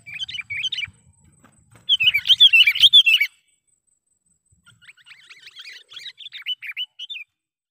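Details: Sooty-headed bulbul lure call used for trapping wild birds: a brief bright chirp, then a dense burst of sharp, high chattering notes, a pause, and a softer run of quick chirps and slurred whistles, with faint low rumble early on.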